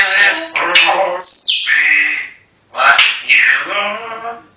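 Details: Talkative African grey parrots produce dense, speech-like babble rich in harmonics, broken by a high, clean whistle that falls away, then another stretch of chatter.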